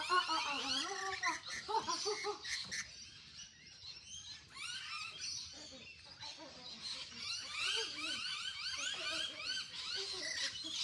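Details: Fluffy rainbow lorikeets in a group, giving a dense, continuous chatter of shrill, buzzy screeches and squeaks that overlap rapidly, with louder harsh calls in the first few seconds.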